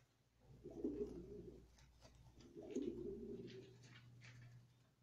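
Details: Australian pigeon in a small room giving two low, throaty, rolling coos about two seconds apart, each lasting roughly a second, with a faint steady hum behind.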